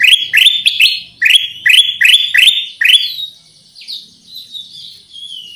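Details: Lure call of the kutilang emas, or Black-crested Bulbul: about eight strong rising chirps in quick succession, then quieter thin whistled notes trailing off to the end.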